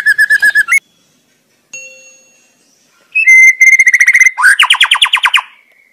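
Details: White-rumped shama in the wild, singing busily. A quick run of repeated notes stops abruptly, followed by a lone faint ringing tone, then a sweet whistle that turns into a rapid, descending chatter of buzzy notes.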